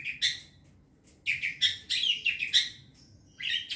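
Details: Young wild long-tailed shrike used as a lure: bursts of rapid chattering, scratchy notes in two bouts after a short pause, with a brief whistled element, over quiet low background hum.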